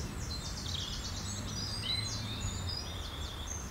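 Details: Sparrows bathing at the Roman ruins of Vidy, 16 June 2013; a dense run of high chirps and short twittering notes from several birds above constant low-pitched background noise.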